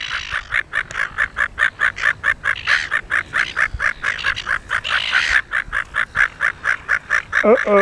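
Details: Rapid harsh chattering calls of a mating pair of Silver Gulls on Penguin Island, Rockingham, repeated steadily about twice a second; a brief rising whistled squeal near the end.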